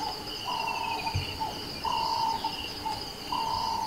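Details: Early-morning nightjar in South Africa's Kruger National Park, giving flat, sustained notes in a slow series of about three, with high-pitched insect buzzing underneath.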